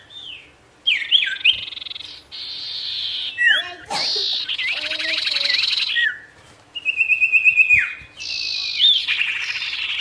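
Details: Ashy tailorbird in varied song to stir up wild birds: downslurred whistles, buzzy rattles, and a rapid series of sharp rising notes, with several short breaks between phrases.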